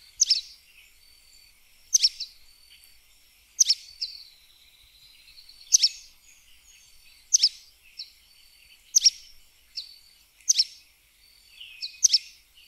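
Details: A sooty tyrannulet (Serpophaga nigricans) sings sharp, high, clipped notes, each a quick bright burst, repeated roughly every one and a half seconds. Fainter twittering from other birds comes between the notes.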